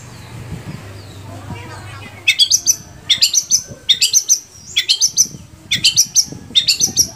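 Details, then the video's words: Long-tailed shrike in captivity in Indonesia, starting after two seconds of quiet hum and then giving paired, sharp, rising chattery phrases repeated roughly every 0.8 seconds. "SUARA BURUNG‼️Cendet mana aja yang gak mau gacor bila seperti ini"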